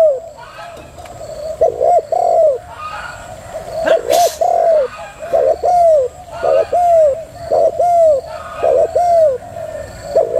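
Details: Female spotted dove cooing repeatedly in the prompting style, with hooked low notes in pairs roughly every few seconds, one louder click or bump midway, and a constant background hiss.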